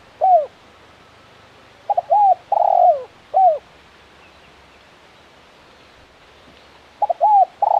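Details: Spotted dove, a tekukur used for luring, calling in a pattern of two short hooting notes followed by a longer falling coo, repeated in spaced phrases with quiet gaps between.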